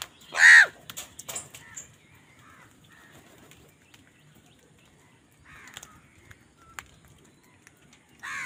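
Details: During a fight for food, a crow lets out one sharp, loud caw, then near quiet with soft scraps of sound until another call begins at the end.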